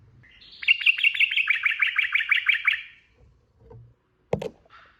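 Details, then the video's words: Energetic 'ropel' song of a sooty-headed bulbul, a quick chattering string of bright, slightly descending chirps lasting about two seconds, followed by a sharp knock and brief quiet. "SUARA TRUCUKAN ROPEL GACOR"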